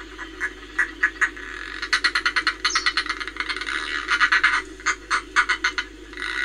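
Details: Northern Fulmar, Reykjavik, Iceland, 25 April 2024, giving a harsh, guttural cackle, rapid bursts of clipped notes run together in chattering series with brief pauses between.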